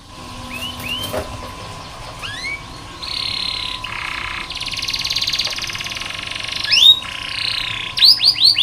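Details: Canary tutor song used as training and therapy for young or reluctant canaries: varied upswept whistled notes, bursts of rapid buzzy trills and rolling rattles, with a steady high tone running underneath.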